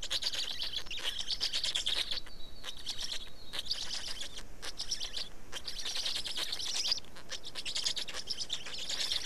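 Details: Estonian black storks at the nest while feeding, 19 May 2019, afternoon: long stretches of scratchy, rapidly pulsed calling, interrupted briefly by a thin, even whistle before the rasping resumes.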